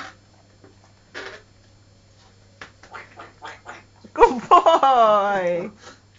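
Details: A female African grey parrot in a hyper mood indoors quacks like a duck, giving a loud, nasal, drawn-out quack lasting over a second, after soft spoken prompting from a person nearby.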